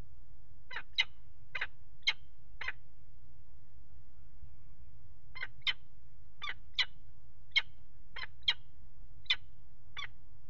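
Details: Peregrine falcons mating on the nest ledge of a water tower box in Axel, 5 February 2018: two bursts of harsh, rasping calls, about five then nine, separated by a short pause, over constant low background hum.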